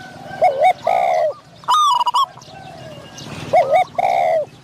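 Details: Decoy trapping of Spotted doves, a caged bird calling to lure a wild dove of medium voice; bold, wavering coos and a bright chirp burst, then a quieter gap of faint cooing before two more loud coos.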